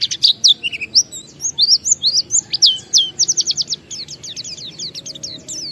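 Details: Oriental white-eye (pleci) lure song for prompting other white-eyes into song: bright, high-pitched twittering built of quick slurred notes, then rapid repeated chip series and trills, loud and clean for nearly six seconds.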